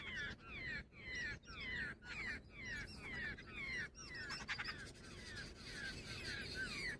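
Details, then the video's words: Jungle babbler, stated to be female, calling in a run of harsh descending squawks roughly twice a second, growing busier and overlapping toward the end, with steady low background noise. "Jungle babbler sound effect | babbler bird Sound Grey | female babbler ki video"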